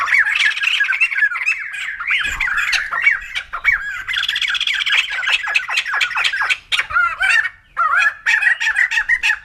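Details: White-crested laughingthrush, locally called poksay jambul putih, giving a loud, dense laughing chatter: rapid squawky, hooked notes tumbling over one another almost without pause, with one brief break near the end.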